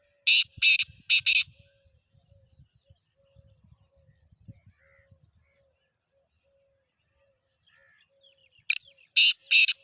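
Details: Black francolin (kala teetar) calling: a burst of three harsh, rasping notes, then about seven seconds of near silence with faint low knocks, then another loud grating phrase of three notes near the end.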